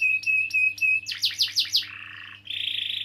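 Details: Canary singing to prompt young or silent canaries: a few clear whistled notes repeated, then quick descending swept chips, a lower buzzy trill and a high rapid roll; faint constant hum in the background.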